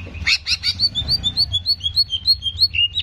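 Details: Greater green leafbird, in a track played to heighten aggression, opens with harsh squawky chips, then delivers rapid, regularly spaced whistled notes, roughly three per second, holding a high, ringing pitch.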